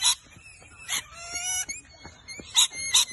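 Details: Wild rainbow lorikeets in Brisbane, Australia, contesting a tree hollow with two rival parrot groups, declaring territory: harsh broadband screeches at the start and middle and twice at the end, with thin whistled chatter between.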